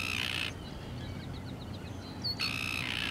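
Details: Arctic tern at Lake Ontario, Canada, giving two loud, harsh, grating calls about two seconds apart, with faint short chirps between them over low background rumble.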